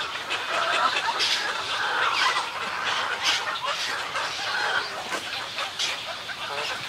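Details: Many snowy egrets at a colony giving colony and greeting calls: thick, rasping croaks and guttural gabbling that overlap without a break, rising and falling in loudness.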